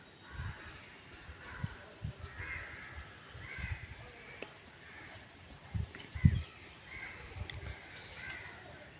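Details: Crow uttering repeated hoarse caws at moderate distance, about one every second or two, with low-pitched bumps and constant background noise.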